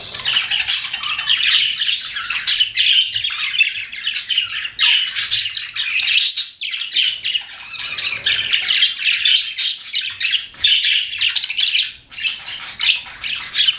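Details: Pet budgerigars indoors chirping continuously, a dense chatter of squawky warbles and scratchy notes with short pauses, several birds overlapping throughout.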